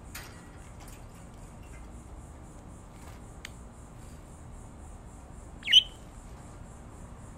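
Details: One of two pet budgerigars, a green and a yellow, gives one sharp, high squawking chirp after a stretch of near quiet.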